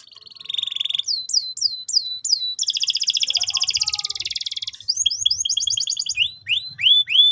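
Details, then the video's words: Constantly singing canary used for training young birds. Rapid downward-sweeping notes lead into a dense rolling trill, then quick rising-and-falling chip series and loud upswept whistles. "PANCINGAN BURUNG KENARI GACOR BUAT PAUD BERMENTAL TINGGI"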